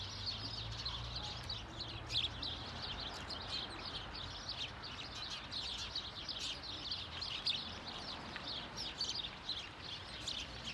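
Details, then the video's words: House sparrows, many together, giving contact calls in Hedbergska parken, Sundsvall, Sweden, on 26 November 2023; a dense, continuous chorus of short, bright chirps overlapping throughout, with a faint low hum underneath. "Gråsparvar lockläte"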